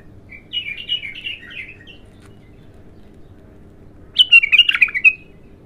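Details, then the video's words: Bulbul, raw and in its first song, giving a softer warbled run of whistles followed after a pause by a loud, sharp, jumbled flurry of bright notes, with faint low hum. "تغريد الابتر خام اول فتحـه له"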